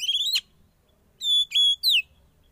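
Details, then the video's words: Young wild-caught Oriental magpie-robin during sauna therapy: a rising whistled sweep with a chattery edge, a pause of nearly a second, then three loud clear whistles, the last slurring downward. No other sounds. "Terapi Sauna Kacer Muda Hutan"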